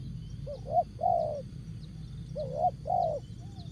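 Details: Spotted dove in jergot-style song: two phrases, each a short rising double coo leading into a longer, softly falling coo, about a second apart, with faint high ticking buzz and low hum beneath.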